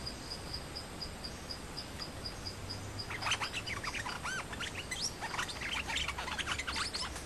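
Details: Thai Nok dok taeng songbirds, a challenger confronting the resident male over territory. A steady high insect ticking comes first, then the birds break into rapid bursts of arched, chirping and squeaky calls in quick succession.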